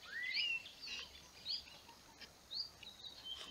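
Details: Slavonian grebe building a nest: a clear rising whistled call sweeping upward near the start, followed by shorter high squeaky notes and thin whistles over a steady background hiss.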